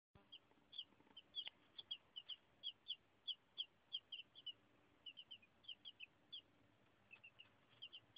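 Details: Chicks one to two days old: thin, high peeps given singly and in quick pairs, steady and fairly quiet, continuing throughout with short gaps.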